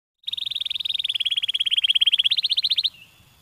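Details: Canary giving a stimulating song: a fast, even trill of short bright notes, steady and then rising slightly in pitch, lasting under three seconds before ending abruptly into quiet.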